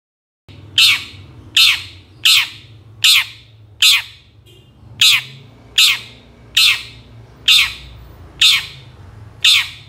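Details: Long-tailed shrike calls used to provoke lazy birds into singing: harsh, scratchy squawks repeated roughly every three quarters of a second, about eleven in a row, with a low background hum.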